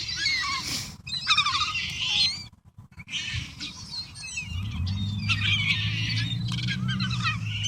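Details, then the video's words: Flock of wild gulls feeding on a pile of pizza and leftovers, many overlapping harsh squealing calls, a brief pause midway, then a low droning hum under renewed cries. "Happy Seagulls Eating a Variety of Foods!"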